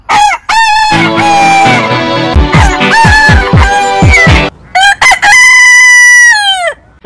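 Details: Crowing roosters of heritage breeds, edited together in sequence. A short crow is followed by a dense, rough stretch of overlapping deeper and higher crows with throaty pulses. After a break comes one clear, sustained, slowly falling crow.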